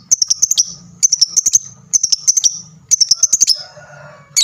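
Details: Lovebird giving lively chatter meant to get other lovebirds answering: four runs of rapid, shrill staccato notes separated by short gaps, over a faint low droning hum.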